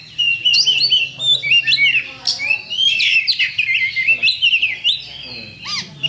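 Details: Champion Oriental magpie-robin (kacer) singing a lure song meant to provoke rivals straight into fighting: a loud, fast stream of varied sharp whistles, chirps and rising and falling slurred notes, delivered in bursts with brief pauses.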